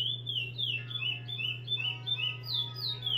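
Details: Bred chestnut-bellied seed finch giving repetidor song: flat and gently falling whistled notes in a close sequence, ending with higher slurred whistles, over a low continuous hum.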